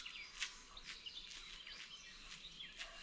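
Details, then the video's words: Wild birds chirping in a forest on a morning walk with a Labrador dog: many faint, high, short chirps and tweets overlap against steady background noise. "birds chirping sound"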